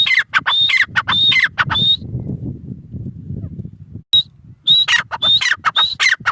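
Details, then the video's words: Teetar, the grey francolin, calling in a string of harsh, squawking notes, each with a thin whistled upper tone. The calls stop for about two seconds of low rumbling background noise, then start again. "Teetar ki awaz | Teetar voice | gray francolin teetar sound"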